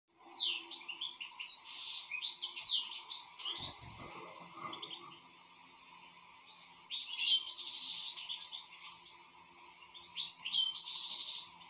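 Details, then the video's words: European goldfinch actively singing: bursts of rapid, liquid twittering and tinkling notes with short pauses between phrases, plus a faint low hum throughout. "حسون شغال"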